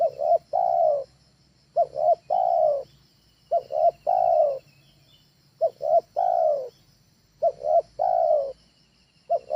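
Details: Spotted dove training call for luring birds at home: a phrase of two quick short coos and a longer hoarse coo, repeated about every 1.8 seconds, with a faint low hum underneath.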